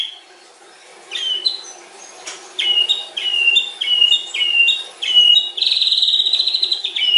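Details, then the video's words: White-rumped shama in a cage, a stone-type bird, giving a long varied song: repeated clear whistled notes descending in pairs, ending in a sustained high trill; sharp, loud phrases over a steady faint background hum. "OCEAN MURAI BATU PASTOL MUNTAH ISIAN PANJANG AUTO CEPAT TERPANCING"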